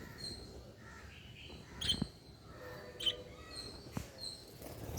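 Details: Playing lovebirds make scattered thin, high chirps and brief tweets, a few louder notes standing out at irregular intervals above a quiet, steady background hiss.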